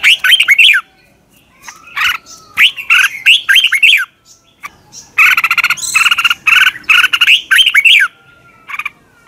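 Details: Red-whiskered bulbul singing in the morning, a recording used to train caged birds: loud, warbled phrases of quick rising and falling notes, broken by short gaps and a faint thin whistle.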